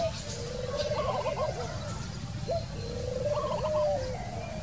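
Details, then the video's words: Spotted Dove in the wild giving two low cooing phrases. Each opens with a brief note, then runs into a quavering, rolled coo with a trembling upper overtone. Steady outdoor hiss fills the background. "Wild bird Dove, wild bird, Dove, นกเขาใหญ่"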